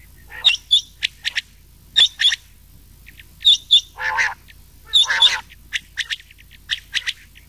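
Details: Quail lure recording mixing rain quail and old quail voices for summer night hunting; crisp doubled high notes repeat in bursts roughly every one and a half seconds, broken by harsher, lower grating notes.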